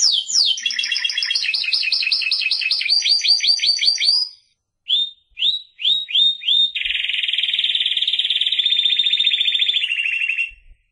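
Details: Spanish Timbrado canary song of rapid descending trilled phrases, a short pause, a few separate swooping whistled notes, then a long steady rattling trill held for about four seconds.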